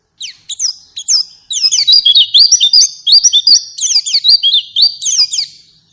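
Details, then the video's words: White-eye singing, used to coax a pet bird into song: a few thin descending chirps build into a rapid, continuous warbling of high, sharply rising and falling whistled notes with no other sounds. "Pancingan Burung Pleci Agar Ngalas Dan Buka Paruh"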